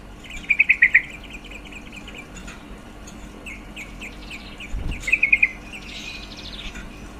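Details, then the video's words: Female yellow-vented bulbul call meant to raise males' mating drive; two short bursts of quick bubbling notes separated by several seconds of faint background chirping and a thud. "Suara panggilan trucuk betina sangat efektif mendongkrak birahi trucuk jantan"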